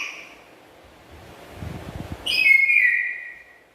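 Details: Black-capped lory kept as a pet. Soft low rustling is followed by one loud, rasping call rich in overtones that falls slightly and fades away.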